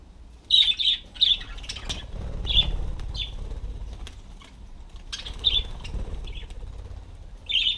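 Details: Parakeets sitting on a self-made turning bicycle wheel give brief high chirps, singly or in quick pairs, every second or so, over a low rumbling background with occasional wing-flapping and rustles.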